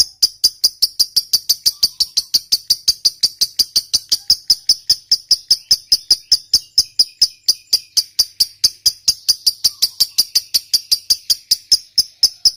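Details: Long 'ngekek' chatter of a fighter lovebird, used to set silent lovebirds singing: a sustained, highly regular series of sharp high chips, about four per second, continuing unbroken for over twelve seconds.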